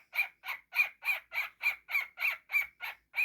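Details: Pet cockatiel, described as a silly baby, giving a steady run of about eleven harsh, grating squawks, evenly spaced roughly three per second, with no other sounds.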